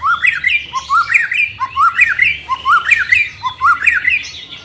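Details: White-rumped shama song played to train a bird reluctant to sing: rising whistled phrases repeated about once a second, with sharp high notes over them and a faint low hum.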